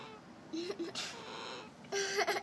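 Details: An Ameraucana hen purrs like a kitten in two soft, low, rolling bursts about a second apart, each a steady hum with a slight waver, in a quiet room.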